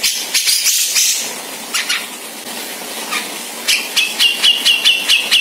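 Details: Sumatran Grey-cheeked Bulbul, used as a tutor song for training other birds: harsh, hissing rasps, then a run of quick, buzzy mid-pitched notes about twice a second toward the end.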